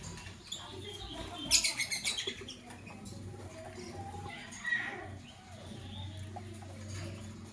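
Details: Lovebirds, a green Fischer's and a pastel blue, chirping in the morning: a rapid series of sharp, very high, pulsing chirps early on, then a softer single chirp and quiet hum.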